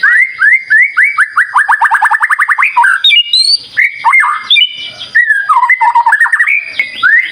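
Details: White-rumped shama song used as a lure, with a long fast series of repeated upswept whistles speeding into a trill, followed by varied sliding, warbling and scratchy phrases.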